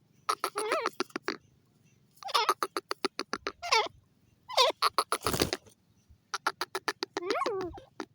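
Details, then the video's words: Francolin calling in fast rattling series of short harsh pulses mixed with wavering squeals, in several bursts, one loud broadband crack in the middle. "The pheasant birds speaking,teeter ki awaz"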